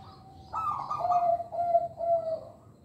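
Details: Local zebra dove song for luring young birds: a buzzy, trilled opening followed by three clear, evenly spaced, level coos that fade at the end.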